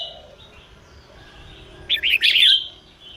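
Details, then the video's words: Female red-whiskered bulbul singing to excite males into singing: after a quiet stretch, one short rapid burst of rich, slurred, chattering whistled notes lasting under a second, against low background hiss. "chào mào mái hót kích trống căng lửa"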